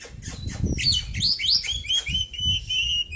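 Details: ['White-breasted Oriental magpie-robin kept in a cage after its moult, giving a short sequence of rising and falling slurred whistles that end in a long drawn note, over low background rumble.']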